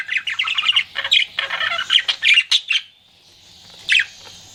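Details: Flirting pet budgerigar in busy warbling chatter of squeaky, buzzy notes, falling silent near the end before one last loud chirp over a faint high hiss.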